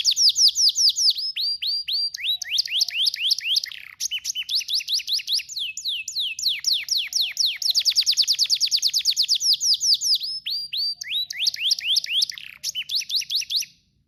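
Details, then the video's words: Canary in powerful song: long rapid runs of repeated sharp descending notes, tight trills and rolling series, continuous with only brief breaks, very clean with no background noise. "canarias powerful singing bird sound"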